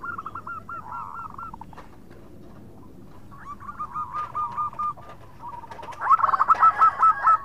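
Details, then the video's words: Local zebra dove in full song, khong voice with chattering notes, calling its companions: bursts of rapid hooked coos, a quieter run in the middle, then a loud accented series near the end. "Perkutut Lokal Gacor Suara Khong crewet panggil teman"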